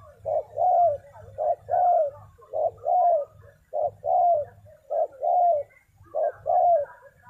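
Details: Spotted dove cooing, a call used to lure and train decoy birds: paired low coos, a short note followed by a longer rising-then-falling one, repeated about every 1.2 seconds, with a faint low hum beneath.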